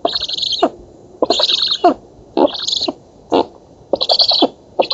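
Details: Feeding at a black stork nest in an oak, Poland, 11 August 2017, recorded by nest camera: chicks utter grating, wheezy hiss bursts roughly every second, mixed with lower clattering pulses.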